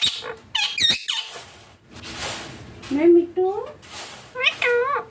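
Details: Green Indian ringneck parakeet at home with its owner, starting with a quick cluster of sharp squawks, followed by a human voice talking in a small indoor room.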